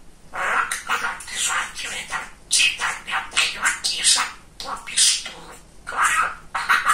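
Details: Male pet budgerigar talking nonstop indoors, a dense string of scratchy, high-pitched mimicked syllables with only brief breaks.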